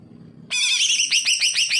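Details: Greater green leafbird song used as a tutor for birds that are lazy to sing: a loud burst of bright harmonic notes, then a quick series of about six repeated upswept chirps.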